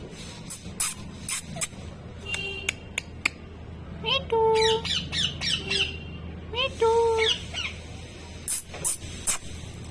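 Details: Parrot talking, repeating "mitthu": two bursts of voice-like, harmonic chattering syllables, with scattered clicks and squawks and a low background hum.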